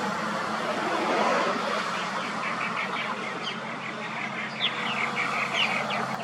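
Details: Male purple martin at a colony in Atascadero, 4 May 2021: a run of short, rapid gurgling and chirping notes, several per second, over a steady low hum of traffic.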